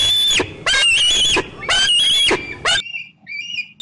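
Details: Young bald eagle squeeing close by, late afternoon in June 2013, as an adult eats fish in an old tree; loud, harsh, drawn-out squeals about half a second long, followed by softer thin whistles.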